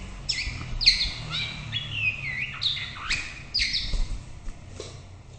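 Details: White-rumped shama in full song: loud, varied phrases of clear whistles, sharp upslurred notes and rapid warbles, delivered in short bursts about every half second to second, over a quiet low hum.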